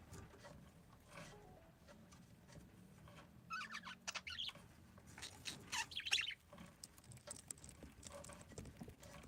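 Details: Parakeets giving a cluster of short, bright chirps and squeaky twitters midway through, after several quiet seconds, with a low steady hum underneath.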